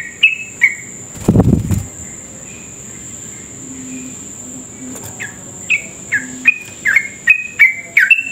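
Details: Sooty-headed bulbul singing vigorously, a lure recording meant to set other bulbuls singing fast: scattered short falling whistles, a loud rustling burst early, then a quickening run of chirpy notes, over a constant thin whine.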